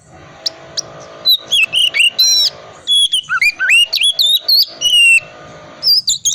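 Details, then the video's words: Oriental magpie-robin in a cold-type ngriwik wiksar song, used to prompt silent magpie-robins to start singing: loud, varied whistled phrases with sliding, twisting notes and sharp high clicks, delivered in quick bursts separated by brief pauses. "pancingan kacer tipe dingin ngriwik wiksar sangat cocok buat terapi kacer agar cepat bunyi dan gacor"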